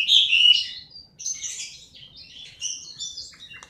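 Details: Broken bursts of high, scratchy warbling from a Chinese hwamei, a loud phrase first, then softer scattered fragments with short gaps.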